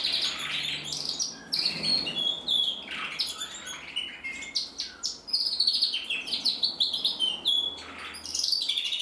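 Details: Singing male canary, red-mosaic isabel, from a German breeder in 2024: varied high song with sharp chips, fast rattling trills and downslurred whistles, a short pause before more rapid trilled phrases.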